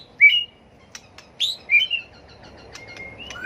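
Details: White-rumped shama in competitive fighting song for bird training: a few loud, clean whistled slurs high in pitch, separated by silence, ending with a faint drawn-out thin whistle.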